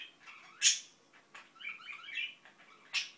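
An Indian ringneck parakeet mutters a soft, jumbled run of chattering notes, broken by two sharp, harsh squawks at the start and end.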